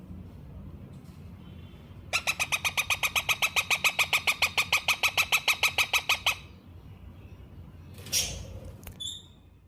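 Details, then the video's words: Baby rose-ringed parakeet: after quiet background, a burst of fast regular raspy chirps lasting about four seconds, then a brief rustle and silence with low room hum. "How Ringneck Baby Parrot Sound"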